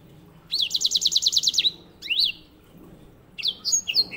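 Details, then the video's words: White-rumped seedeater, also called grey singing finch, kept as a master bird for training canaries; bright high trills of rapidly repeated rising notes, a swooping whistle, then short twittering phrases after a pause. "MASTERAN BURUNG KENARI GACOR NGEROL"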